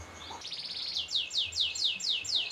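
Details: Canary song used as training audio for other cage birds and for contests: a fast buzzy trill flowing into clear high notes swept downward, repeated about every third of a second.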